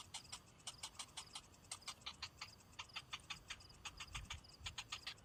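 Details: Young cinnamon bittern, hungry and waiting for a parent that brings no food, keeps up rapid dry ticking clicks, uneven in spacing, with short high squeaky notes and a brief low thump near the end.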